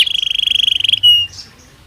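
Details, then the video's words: Belgian canary producing a fast pulsing trill on one steady high pitch for about a second, ending with a brief pure whistled note. "Som de 1 Hora com Canario Belga Cantando Naturalmente"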